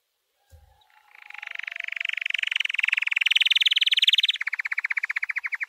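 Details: White canary singing a training song: after a brief quiet start, a long fast buzzy trill swells and climbs slightly in pitch, then switches to a lower, more clearly pulsed roll of rapid repeated notes.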